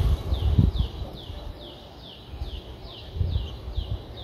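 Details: Nine-day-old Streak-eared Bulbul nestlings, Ubon Ratchathani, Thailand, April 2023: quick descending high squeaks repeated about three times a second, softened by low handling thumps.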